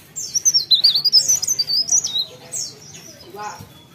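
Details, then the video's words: High-pitched, rapidly wavering song phrase from a mountain leaf warbler lasting about two seconds, then a few softer notes trailing off. "CIKRAK DAUN | PARE PARE GACOR"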